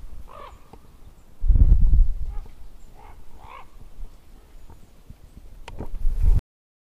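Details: Monk parakeet? No—Common Raven: a common raven calling from overhead gives four or five hoarse, throaty croaks spaced about a second apart, over low wind rumble and a brief burst of handling noise.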